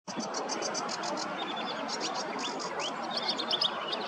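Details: Barn swallow singing from a perch while resting during nest building on a riverbank in Hrodna, western Belarus, 11 May 2023: rapid high twittering chirps and short slurred notes over loud, constant rushing background noise.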